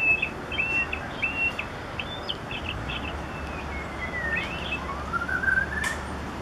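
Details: Roadside white-rumped shama singing loudly and clearly: a series of clear whistled notes and rising slurred phrases, varied in pitch, over steady broadband traffic-like noise.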